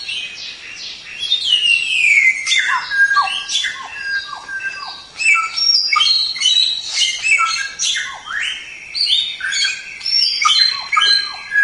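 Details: White-rumped shama song from a masteran (tutor recording): rich, fast varied phrases of clear whistles and buzzy notes, many sliding downward, with sharp high chips and one long descending whistle early on, delivered continuously.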